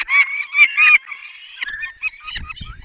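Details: Peregrine falcon at feeding time in the Barycz Valley, 20 May 2021, 10:22: loud harmonic wailing calls in the first second, then softer drawn-out and broken cries, with a low rumble near the end.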